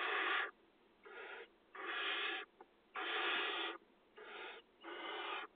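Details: Barn owl chicks at a farmland nest box, filmed by a live camera in the 2020 nesting season as they are fed; a steady series of harsh, breathy screeching hisses, about one every second.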